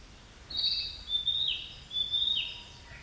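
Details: Song of a narcissus flycatcher: high, clear whistled phrases repeated about once a second, each a steady whistle ending in a short downward flick, with faint background hiss.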